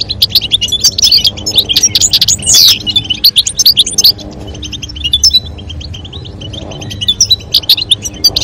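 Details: European goldfinches, a calling female and a singing male, vocalizing to stimulate mating. Dense, rapid, high twittering with quick buzzy trills and sharp chirps in irregular bursts. One louder, harsher burst comes near the middle. Faint background music hums underneath.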